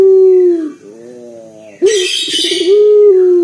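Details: Local collared dove with a deep, loud voice, cooing as a lure for other birds; a long low falling note, a soft pause, then a rolling coo with a brief hissing rustle over it.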